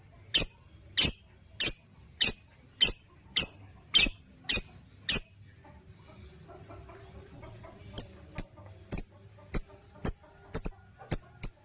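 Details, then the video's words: Lovebird chirps recorded as a lure for other birds, ngekekekeke: a steady series of nine piercing high chirps about every half second, a quiet pause with faint rustling, then another quicker run of shrill chirps. "Pancingan burung love bird # masteran burung, ngekekekeke"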